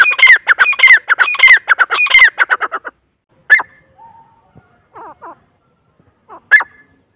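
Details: Irani or Dakhni teetar, the grey francolin: a loud, fast series of harsh, grating notes for about three seconds, then isolated sharp calls separated by soft, short clucking notes and silence.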